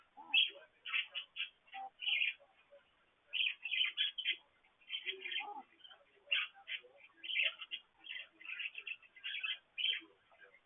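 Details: Pet parakeets during their morning activity beside a water fountain, picked up by a petcam: a steady stream of chattering chirps, squeaks and short warbles with brief pauses.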